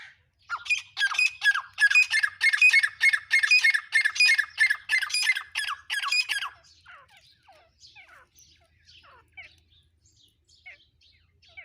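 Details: Black francolin calling: a loud, rapid run of harsh, grating notes for about six seconds, then fading to scattered faint squeaks and chirps.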